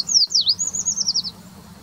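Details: Eurasian treecreeper in February giving one complete song: very high, thin and sibilant, a quick downward swoop followed by an even run of slightly falling notes that ends in a trill; faint low rumble behind.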